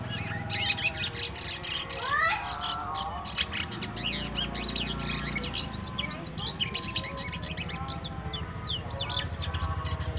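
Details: Black-winged myna kept in a cage about a week after purchase at a bird market, singing its varied natural song in the early twittering stage: dense mix of rising and falling whistled sweeps, chatters and trills throughout, over steady low hum.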